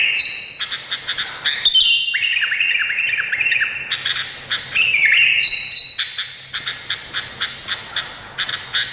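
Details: Rapid, varied song from an Indonesian bulbul: a steady high whistle, then a string of quick falling slurs and bright chips, with brief gaps between bursts.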